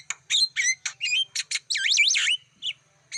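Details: Black-winged starling lure song for drawing in wild birds: clipped chirps and squeaky notes, then a long loud whistle that swoops up and down in smooth waves before a final short note.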